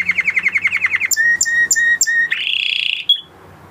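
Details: Singing male canary in breeding condition: a fast pulsed trill, then four evenly spaced whistled notes, then a dense buzzy roll that stops abruptly.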